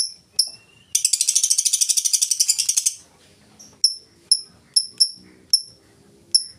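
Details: Lovebird singing ngetik as a lure for other lovebirds: a few high clicking ticks, then a two-second rapid buzzy rattle, followed by spaced single ticks.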